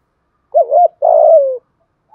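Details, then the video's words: Spotted dove giving urgent 'thúc gù' cooing in the earthy 'giọng thổ' voice style, used to provoke a rival male: one phrase of a short wavering double coo followed by a longer, smooth, slowly falling coo, against a silent background. "cu gáy thúc gù giọng thổ/ tieng cu gay kich boi nhanh noi"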